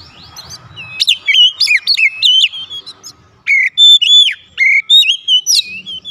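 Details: Lure song of an Oriental magpie-robin to trigger answers from other birds: rapid sequences of sliding whistled notes and sharp chips, a short pause near the middle, then loud clear whistles dropping in pitch.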